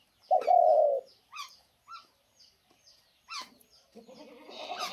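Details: A spotted dove being fed soil gives one drawn-out, mellow coo, followed by a few brief higher chirps; a person's voice comes in at the end.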